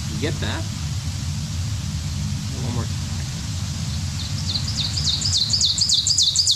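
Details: Ovenbird song: quick, bright two-note 'teacher, teacher, teacher' phrases that repeat and grow louder, preceded by a man's voice, over a low background rumble.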